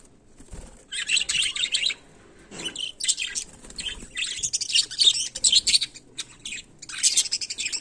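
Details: Budgerigar in daily life, chattering steadily in dense high buzzy chirps and warbles, nearly unbroken from the second second onward with brief pauses, and light clicks beneath.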